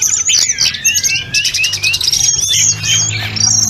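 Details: Snowy-browed flycatcher singing energetically, a training recording for other birds and full of inserted phrases: high whistled notes and quick chirps, with some long gliding whistles that sweep down and then level off.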